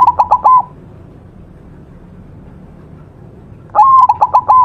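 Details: White zebra dove singing vigorously, a master recording for training other birds: a cooing phrase of a rising note then quick pulsed coos, cut off at the start, then a full phrase after about three seconds of quiet.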